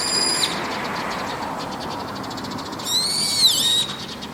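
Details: Brown-eared bulbul on a roof at evening gives a brief piercing note, then after a pause a longer shrill whistle that sags in pitch and rises again, against steady broadband background noise.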